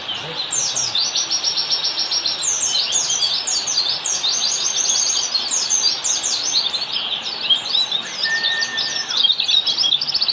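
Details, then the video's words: Oriental white-eye (pleci) ngalas song, a training master for caged birds: long run of very high, rhythmic chattering notes, sliding twitters repeated rapidly, with a level whistle held for about a second near the end. "semastering pleci || masteran ampuh pleci yang denger auto nyaut"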